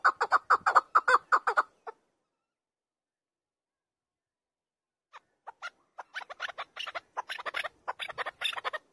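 A chukar gives a loud rapid run of harsh clucking chuk notes, goes quiet for about three seconds, then starts again with sparse notes that build to a fast chatter.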